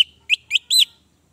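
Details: Orange-headed thrush song used to coax a silent bird into singing: a short phrase of three clear, whistled, slurred notes, the last longer and richer.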